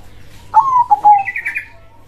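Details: Zebra dove (perkutut) giving a single short rolling coo phrase, followed by a brief higher chirping sound.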